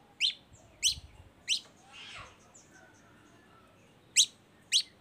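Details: Long-tailed shrike lure song used to coax other shrikes into singing, given as a few sharp, high descending chirps spaced irregularly, with a soft breathy rasp between them.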